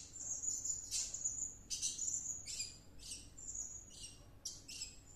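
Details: Blue-crowned hanging parrot singing excitedly after returning from a luring session: very high, thin, shrill sustained notes and trills, broken by sharp scratchy bursts about once a second, with no other clear sounds.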